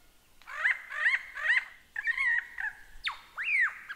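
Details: Lyrebird singing three evenly spaced upslurred ringing notes, a warbled whistled phrase, then two loud arching whistles that rise and fall.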